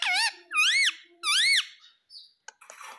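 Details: Pet ringneck parrot giving three loud, harsh squawks, each an arched rising-then-falling screech about a third of a second long, spaced half a second apart, followed by faint clicks and rustling.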